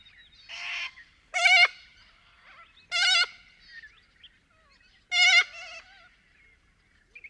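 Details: Little corellas in Paroo-Darling National Park in Australia's outback, calling from a flock: loud wavering harmonic calls and harsh screeches repeated roughly every one to two seconds, with quieter chatter between.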